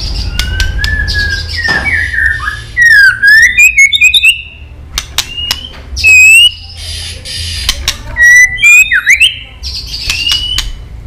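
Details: Female white-rumped shama 'tạch líu' calls meant to excite males for fighting: loud clicks mixed with slurred whistles that dip and rise, in two clustered bursts.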